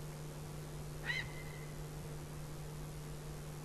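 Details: Male tawny owl on a branch at 22:22 on 22 September 2014, calling for a few minutes before flying off, gives one brief, harsh, nasal note, then a faint thin whistle, over a steady low electrical hum.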